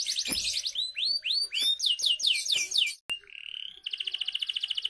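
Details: Lure song of a canary for young canaries: a quick trill, a run of rising whistles and descending slurred notes, a sharp click, a rising buzzy note, then a fast, regular high trill.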